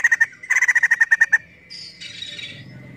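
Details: A female white-crested laughingthrush, called poksay jambul, rattles out two quick runs of sharp repeated pulses, then drops to a faint hiss-like buzz.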